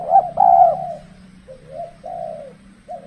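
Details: Spotted dove decoy in cold-season trapping; one loud coo phrase with a short lead note and a long held coo, followed by quieter separate coos over a low background hum.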